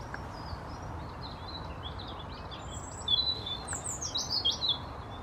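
African blue tit giving faint high chips, then a brief burst of scratchy, buzzy notes over steady background hiss.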